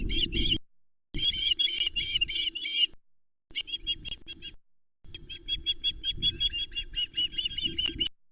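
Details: Osprey chicks at Loch Arkaig nest, 19 July 2020, as a trout arrives and a larger female chick steals it from her brother; loud rapid high piping in repeated runs, little background noise.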